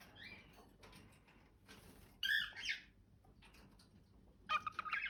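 A cockatiel sings in short bursts of harsh, warbling whistles separated by quiet pauses.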